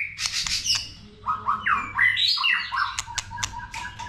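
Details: White-rumped shama in multi-voiced song used to provoke shamas: softer sliding whistled notes and downslurs, then short repeated low whistles with crisp ticks.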